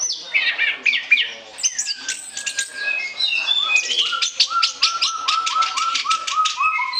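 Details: Orange-headed thrush in nonstop 'ngoceh ngeplong' song for use as a lure: high slurred whistles and twitters, then a fast series of short, rising chip notes repeated about four per second.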